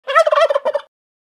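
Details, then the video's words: Wild turkey gobble: a single rapid, rattling, gurgling burst under a second long, pulsing and throaty, with a short tail, in otherwise complete silence. "Turkey Gobble 3"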